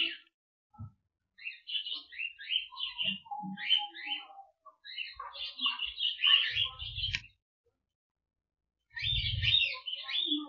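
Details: Cockatiel flock in an aviary, singing and flying about: overlapping bursts of chattering, warbled whistles and sharp chirps in runs with brief gaps, one lower drawn-out whistle midway, and short thumps of wing or movement noise.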